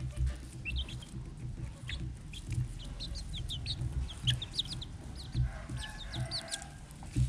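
Red junglefowl giving low, soft clucks every second or two, over a steady rumble, with thin high chirps scattered throughout.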